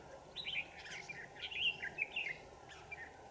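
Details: Red-whiskered bulbul decoy singing to fight while a wild bird is trapped on 27 November 2018. Quick phrases of sharp, tumbling whistled notes, two or three bursts close together, over faint steady background hiss.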